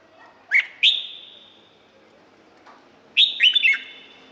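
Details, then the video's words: A caged Thai Red-whiskered bulbul gives two quick sharp whistles, a pause, then a rolling phrase of four slurred, bubbly notes, all echoing. "เสียงนกกรงหัวจุก สำหรับต่อ หรือ เปิดให้นกคึก เสียงเพราะๆ"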